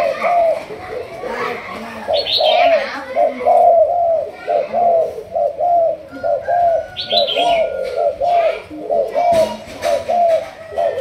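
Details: Malaysian spotted dove of a 'thúc gù' cooing line, being trained as a decoy bird: a steady run of low, rounded coo notes in quick succession, with brief higher chirps and twitters from other birds over the top.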